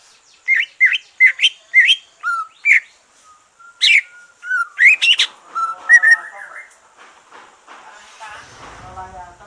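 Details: Green leafbird, a caged bird after moulting, used to stimulate others to sing; a run of evenly spaced sharp whistled chirps and rising slurs, then a flat whistle, fading into softer chatter and low human voices.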